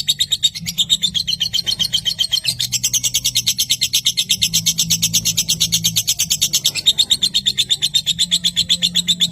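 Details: Lovebird recorded as a training track to prompt young and adult birds, delivering a long ngekek trill of rapid, even high chirps, about three per second, sustained across the whole stretch with a faint low hum beneath.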